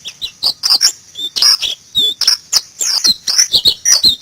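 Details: White-eye (pleci) from Indonesia delivering continuous fast high twittering, sharp slurred chirps and short trills tumbling one after another without pause.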